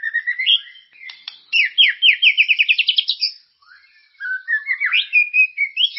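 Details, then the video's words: Vigorous shama lure song for getting caged white-rumped shamas to sing. Rising whistles lead into a fast accelerating series of sharp, downslurred notes, a short gap, then looping whistled phrases rising and falling. "Suara pancingan burung murai ❗gacor dan berkarakter"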